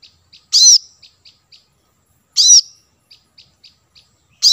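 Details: Plain-throated sunbird (kolibri kelapa) recorded as a lure for wild birds: two strong, shrill notes about two seconds apart, each followed by a few soft high ticks, and a third note at the end.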